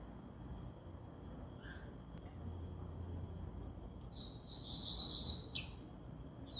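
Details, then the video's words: A Double-collared seedeater at a regional song contest with three birds gives a high, fast, buzzy trill lasting about a second, after a few scattered thin notes, over a steady low rumble of background noise. "disputa de canto regional 3 coleiros"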